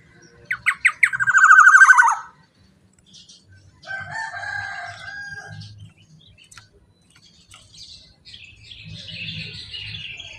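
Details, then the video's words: Strong-voiced Black-naped oriole meant to prompt other orioles. It opens with a harsh, rapidly repeated nasal burst lasting about a second and a half, then a quieter whistled phrase and faint background chatter. "kicauan POWER suara KEPODANG GACOR super KERAS LANTANG cocok untuk pancingan kepodang emas"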